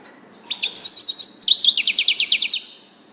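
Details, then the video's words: Goldfinch phrase that opens with a high whistled note and runs into a long, fast, even series of sharp tinkling notes, bright and metallic, lasting about two seconds. "singing canary chardonneret song saka kuşu sesi"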